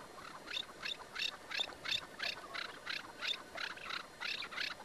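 A partridge gives a rapid run of harsh, clucking chuk notes, about three per second, each a rasping burst, with a quiet outdoor background.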